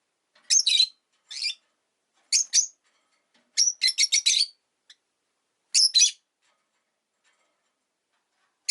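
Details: Caged rosy-faced lovebirds, five kept together in a cage by a window in winter, give shrill, buzzy chirps in short bursts. Some bursts are single notes and some are rapid clusters, separated by pauses of about a second.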